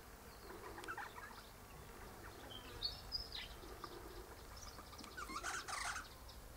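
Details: Eastern rosella perched high in a hedge in the morning, its mate in a nearby pecan tree, chattering in soft, scattered chips and twittering notes, ending in a louder, harsher burst over a low background hum.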